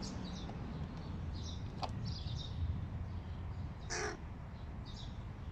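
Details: Young crows that have recently fledged: one clear, harsh caw near the end stands out, with several faint, short, higher calls scattered before and after. A sharp click comes midway, over constant low background noise.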